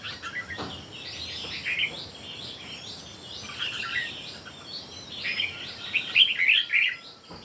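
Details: Three red-whiskered bulbuls singing in competition: overlapping bright warbled phrases, short and chirpy, tumbling one after another with brief gaps, over a steady high hiss of insects or background noise.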